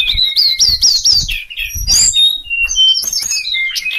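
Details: Sulingan sings a series of rising whistled notes repeated in quick succession, then sharp chirps and thin sliding whistles at a high pitch.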